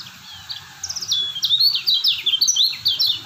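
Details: White-eye of the Lombok kecial kuning type, praised as a stable bird, singing a rapid, twittering chain of sharp descending whistles that builds in loudness after a quiet start.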